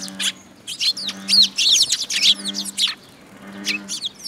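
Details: Sparrow flock, Eurasian tree sparrows, gathering at a feeding spot on a post at a Tenmangu shrine, 26 June 2022; loud overlapping chirps and chattering, with low humming tones recurring beneath.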